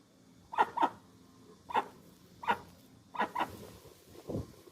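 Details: Dusky-legged guan uttering sharp, barking notes, some single and some paired, spaced irregularly, with one deeper low thud near the end and constant faint hiss.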